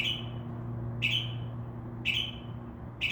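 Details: Northern mockingbird, a mimic copying crow caws and other sounds, calling by night from a tree beside a window: short sharp bright notes about once a second, over a low steady hum.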